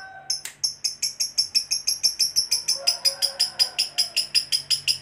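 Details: Lovebird fighter giving a long ngekek panjang trill, a song said to draw other lovebirds into singing: shrill, steady notes repeated about three times a second without a break, with a faint room hum behind.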